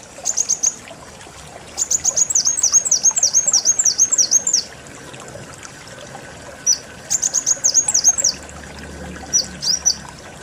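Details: Kolibri wulung sunbird repeating bright, high-pitched chirps in quick rhythmic strings, broken by pauses and single notes, against a soft, trickling, noisy background.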